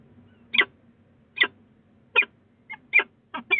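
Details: Peregrine falcons at a nest box on Sussex Heights, Brighton, on 22 February 2018, in a late conversation: short harsh clipped notes repeated roughly every three quarters of a second, about six in a row.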